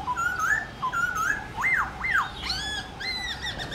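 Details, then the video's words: Black-throated laughingthrush song recorded in the morning for training caged birds to sing: mellow gliding whistles followed by two sharp arched notes and a few higher, thinner calls. "Khướu bạc má hót đấu giọng rừng buổi sáng"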